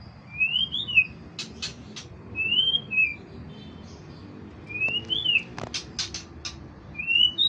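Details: White-rumped shama, described as a competition-grade bird, gives clear whistled phrases that rise and then fall, repeated about every two and a half seconds. Sharp clicks fall between the phrases over a low background hum.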